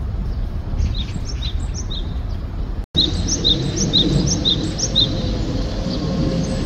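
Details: In spring, a Japanese tit repeats a bright, high two-note phrase about twice a second, singing to attract a mate, over a steady low rumble of background noise.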